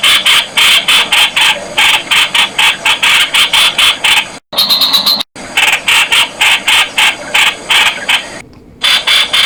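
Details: Streak-eared Bulbul (Blanford's Bulbul), known in Thai as nok khot, giving a fast series of harsh, buzzy notes repeated about four times a second, broken by brief silences and a short higher whistled phrase in the middle.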